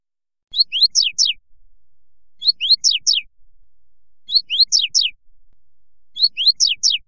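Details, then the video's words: Double-collared seedeater tutor song, part of a mix meant to warm up captive seedeaters: a short phrase of quick, high, sweeping whistled notes, repeated about every two seconds against a quiet background. "CANTO;ESQUENTE SEU PAPA CAPIM"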